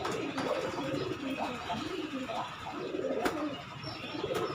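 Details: Kept Giribaz pigeons cooing, soft low hollow coos in short arching phrases repeated through the clip over a steady background hiss, with a couple of sharp clicks.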